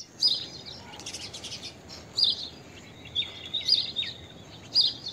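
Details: Blue-tailed bee-eater gives short, high, rolling trilled calls, about four bursts over five seconds spaced one to two seconds apart, over a faint background hiss.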